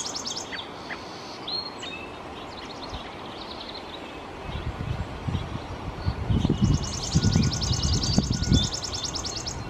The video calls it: Chipping Sparrow Song